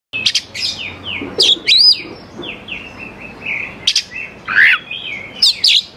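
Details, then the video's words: Oriental magpie-robin in full song, used to lure young wild birds into answering; loud varied whistles with sharp high sweeps, rising slurs and buzzy notes in bursts, with softer falling whistles between phrases. "KACER GACOR SANGAT AMPUH UNTUK MEMANCING KACER MUDA HUTAN BIAR IKUT NYAUT DAN LANGSUNG GACOR"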